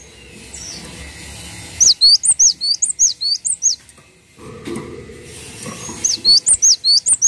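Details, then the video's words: Vigorous song of a gelatik watu, the cinereous tit: a long run of around ten bright whistled notes, each hooked and high-pitched, a low rumbling pause, then another quick burst of similar notes. "MASTERAN BURUNG GELATIK WATU GACOR"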